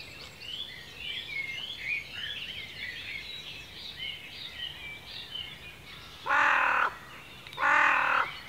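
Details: Woodland birds in ancient Cornish forest, UK: a soft background of high, rapid chirps, broken near the end by two loud, harsh, drawn-out calls about a second apart.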